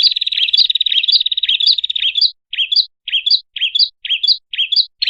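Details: ['Prinia call played to lure birds: opens on a fast, buzzy trill of about two seconds, then shifts to sharp chirps repeated roughly every half second to the end.']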